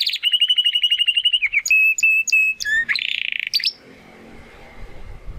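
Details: Young Spanish Timbrado canary in the Classico style, not yet singing its full song: a fast, even trill, then spaced flat whistles and a brief harsh rattle before the singing stops, leaving faint room noise.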